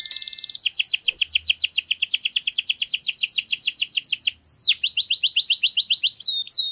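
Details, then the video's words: Singing canary in a garden: a brief high buzz, then a long even series of rapid two-part chirps for about four seconds, a sharp down-swept whistle and more fast repeated notes. "Canario cantando en el jardín"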